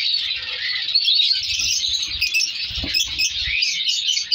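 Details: Captive colony of African color lovebirds kept for breeding, with mutation birds and young being separated; dense high chirping and twittering from many birds at once, continuous throughout, over a low steady hum.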